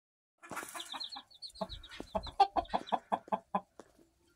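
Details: Black Australorp mother hen, an Australian breed, hatched in September, giving a run of short, low, evenly spaced clucks roughly five per second after a brief high squeaky peeping at the start.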